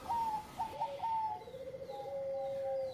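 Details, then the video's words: Bangkok zebra dove, engkel style, singing to stimulate breeding mood. Several clear coos are followed by a long smooth note that dips slightly, against a noticeable background hiss. "Pancingan menaikan birahi Perkutut Bangkok Gacor Suara Engkel"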